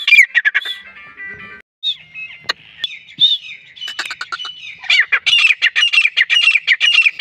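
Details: Grey francolin calling in Pakistan, a native bird used to draw others during the hunting season: harsh ringing notes at the start, a brief lull with scattered squeaks, then a fast series of loud, rasping repeated syllables.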